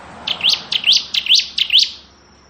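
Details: Kristal-type bar-winged prinia singing ngebren, a recording meant for tutoring magpie robins: four paired notes, a short grace note then a sharp upward-sweeping chirp, repeated roughly twice a second.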